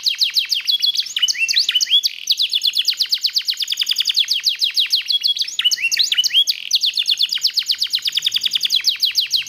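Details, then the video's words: A black-red mosaic canary sings nonstop, rattling high trills mixed with rolling phrases and whistled sweeps, loud and unbroken. "BEAUTIFUL SONG OF BLACKRED MOSAIC CANARY"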